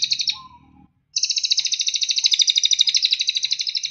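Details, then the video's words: Cililin song used as a training recording for caged songbirds: a short high trill fades out, a brief pause follows, then a long rapid pulsed trill resumes, steady and bright. "Masteran Terbaik Cililin"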